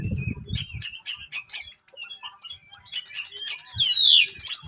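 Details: Sharp song of an HC-type Oriental magpie-robin, meant to provoke rivals: clipped high notes repeated quickly, then a dense burst of rising and falling whistles and twitters; low rumbling noise at the start.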